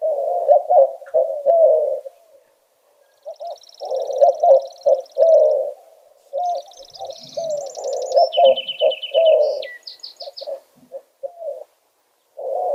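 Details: White-winged Doves at Big Morongo Canyon Preserve, California, call back and forth to each other with low, hooting coos in rhythmic 'who-cooks-for-you' phrases, while small birds twitter high above.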